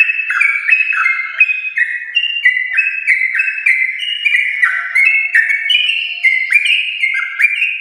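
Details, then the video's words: Long, busy song of a champion-line yellow-vented bulbul, played to encourage caged bulbuls to sing; tumbling whistled notes rise and drop in quick steps, with a soft steady low tone partway through. "Trucukan gacor ropel panjang TRAH JUARA untuk pancingan trucuk rumahan"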